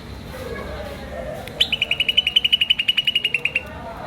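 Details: A green starling makes a fast, steady string of bright, high chirps lasting about two seconds after a brief quiet stretch.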